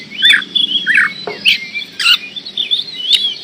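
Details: Oriental magpie-robin (kacer) singing vigorously: varied clear whistled phrases, rising and falling slurs and short rolled notes, broken by sharp dry clicks.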